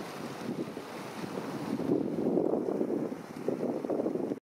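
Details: Low rumbling wind buffeting the microphone alongside surging water, ending abruptly, with no animal voice.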